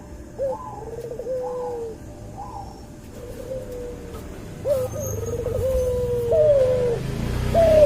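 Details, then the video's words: Hybrid dove from a white albino Barbary dove crossed with a pelung Barbary dove, for a masteran training recording: soft low coos in short hooked phrases at first, then longer drawn-out level notes, over a murmuring background. "MASTERAN BURUNG CUHU HASIL SILANGAN PUTER ALBINO PUTIH VS PUTER PELUNG"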